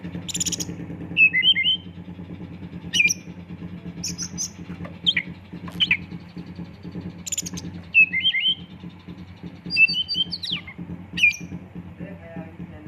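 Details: Oriental magpie-robin singing as a lure, full of imitated phrases and 'shooting' bursts: sharp chirps, twitters and short whistled notes every second or two, over a constant pulsing low rumble.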